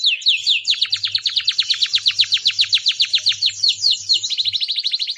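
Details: Canary singing: a loud, steady run of rapid descending whistled notes forming a rolling trill, shifting midway into a faster, tighter trill, with a faint low hum beneath.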